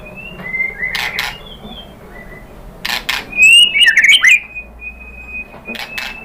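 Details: Sparse white-rumped shama lure song aimed at getting other birds to answer: a few thin whistles, then a loud twisting warbled phrase in the middle, ending on a long level whistle.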